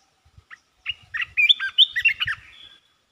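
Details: Red-whiskered bulbul singing its 'poet dok' song phrases rapidly: two brief lead-in notes, then a quick, jumbled run of bright, warbled whistles lasting under two seconds.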